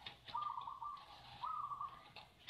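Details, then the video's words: Caged zebra dove cooing while its owner's hand is inside the cage; the bird is described as fearless, with a strong, powerful voice. Two faint, steady, hummed coos, each about half a second long, with light rustling between them. "Perkutut ini mentalnya bukan main meski tangan ndoronya masuk sangkar tetep bunyi"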